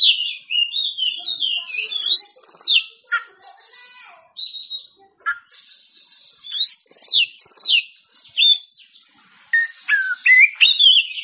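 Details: Oriental magpie-robin singing to call out rivals and get other birds answering: clear whistled phrases rising and falling, sharp bright notes in bursts separated by short pauses.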